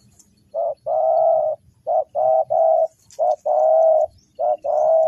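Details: Spotted dove calls used to lure wild doves for trapping: mellow cooing phrases, each a short note followed by a longer drawn-out coo, repeated about three times in five seconds.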